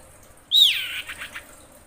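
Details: Female common iora in breeding condition calling to males: one loud, high whistle that slurs sharply downward, followed by three softer, quickly fading notes.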